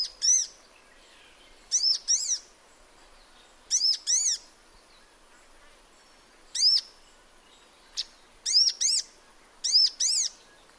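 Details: Sunbird in its natural habitat calling over eleven seconds with scattered single, paired and tripled sharp high arched chirps, each piercing and ringing, separated by short quiet gaps.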